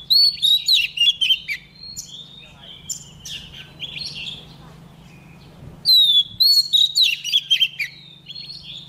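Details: Female White-rumped shama singing to provoke caged males into song: two loud bursts of varied whistles, quick chips and slurred notes at the start and after six seconds, quieter warbling between, with a constant low hum underneath.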